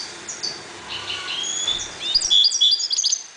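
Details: European goldfinches breeding in a 1.20 m cage: thin high whistles and slurred notes build into a louder run of sharp, clear tweets near the end, with quiet room hiss underneath.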